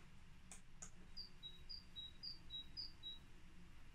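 A great tit sings its two-note 'teacher' phrase, a higher note dropping to a slightly lower one, repeated four times at an even, quick pace over low background rumble.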